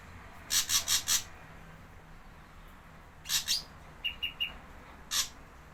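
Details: Lure recording of a Javan grey drongo: a rapid run of four harsh, buzzy notes, then a raspy pair, three short clear whistled notes at even spacing, and a final rasping note.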